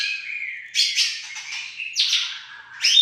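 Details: White-rumped shama of the Aceh type in song, pouring out dense buzzy and chattering phrases with sweeping whistled slides, loud bursts roughly every second, clean background.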